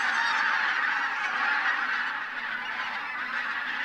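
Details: Over 1,000 wintering bean and white-fronted geese at Linum pond land, Brandenburg, take off before sunrise, possibly flushed by a white-tailed eagle, calling as a dense steady wall of overlapping honks and cackles.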